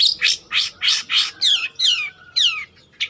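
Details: Actively singing long-tailed shrike, used as a lure or master song for training: five rapid harsh, buzzy notes followed by three clear whistles sliding sharply downward, then a final scratchy note.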